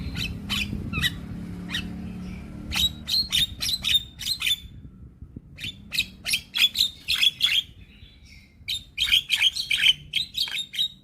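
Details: Young Javan myna singing vigorously while bobbing its head: bursts of harsh, scratchy chatter with sharp whistled notes, grouped in rapid runs of about ten notes separated by short pauses.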